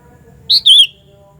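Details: Sooty-headed bulbul, a loud call used to lure other bulbuls: two quick, strong whistled notes, the first short and high, the second longer and sliding downward, over a faint low hum.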